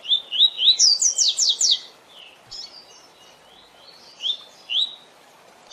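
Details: Tui tui zel zel song style of the double-collared seedeater, played to teach captive birds: a run of rising whistles turns into a fast burst of sharp descending buzzy notes, then softer scattered whistles follow.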